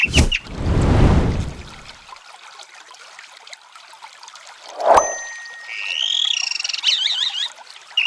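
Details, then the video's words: A chalk-browed mockingbird gives a brief run of high, sliding warbled phrases after a loud splash of pouring water and a sharp knock. "Canto de Sabiá do Campo Cantando"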